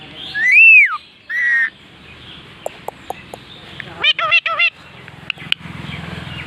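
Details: Parrot presented as talking in Bengali: two loud, arched, whistled calls near the start, then a few soft clicks and a quick burst of four or five wavering, harmonic-rich notes, with light background hiss.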